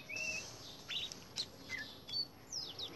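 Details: Indian robin in song in a garden: a clear high whistle, then scattered short chirps and sharp notes, closing with a few quick descending slurred whistles.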